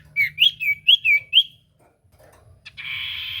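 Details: Common iora song used to prompt a silent bird to sing: a quick run of six bright, chirpy, up-and-down whistled notes, a short quiet gap, then a long sustained whistle starting.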